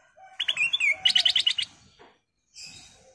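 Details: Lure call from a golden bulbul to make other birds sing: sliding whistled notes, then a rapid series of about seven bubbly chirps, followed by a short hiss of high noise.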